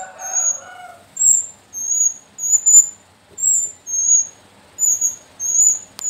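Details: A young captive Sooty-headed bulbul chick from the slopes of Mount Sumbing gives thin, very high squeaky notes, repeated about every half second; a brief lower murmur opens the recording.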